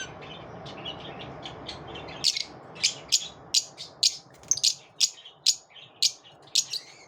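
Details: Soft, faint twittering of lovebirds after dawn for two seconds, then sharp, piercing chirps repeated about every half second.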